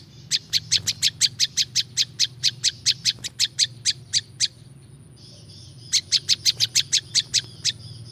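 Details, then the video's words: Prinia song used to lure wild birds: a quick train of piercing high chips, then about a second of silence with a soft trill, before the sharp notes resume at the same fast pace. "SUARA BURUNG PRINJAK LUMUT"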